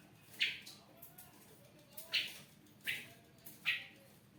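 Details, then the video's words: Captive ashy drongo, a lively singer kept indoors and used as a lure to prompt other birds, gives short, sharp chirped notes repeated about every three-quarters of a second over a faint, steady room hiss. "srigunting abu gacor siang malam cocok untuk pancingan burung lain"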